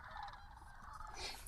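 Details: Thousands of sandhill cranes on their late-winter/early-spring migration stopover on the Platte River at Rowe Sanctuary, Gibbon, Nebraska, on a rainy evening, form a dense chorus of overlapping rolling, bugling calls blending into a steady mid-pitched wash with faint patter (rain) beneath.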